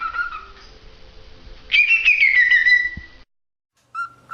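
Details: Cockatiel whistling: a steady mid-pitched tone, then a louder high whistle that slides gently downward for over a second, a brief silence, and a short flat whistled note at the end.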